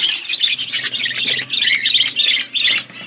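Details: Budgerigars chattering in an outdoor aviary, a fast, busy stream of buzzy chirps and squeaky warbles, several birds overlapping with barely a pause.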